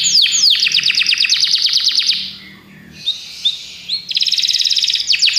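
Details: Song of Belgian canaries, opening with falling whistles into a long rapid pulsed trill, brief quiet chirps, then a renewed fast trill; faint low hum beneath.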